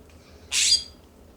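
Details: Immature California scrub jay calling in a yard in Pacific Grove, California: one loud, harsh, scratchy rasp lasting about a third of a second, broad and high, against a near-silent background.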